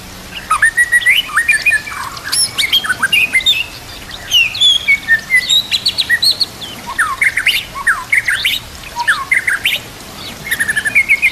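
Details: White-rumped shama song for training other birds, with nature sounds and trickling water: a long varied outpouring of whistles, high sharp notes and fast chattering runs in bursts, fairly loud and continuous.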